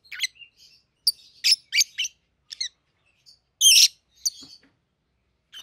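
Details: Peach-faced lovebirds, a captive pair aged 7-8 months in red-headed green opaline and red-faced dark green colouring, giving scattered thin chirps and one louder, longer screech-like call near the end.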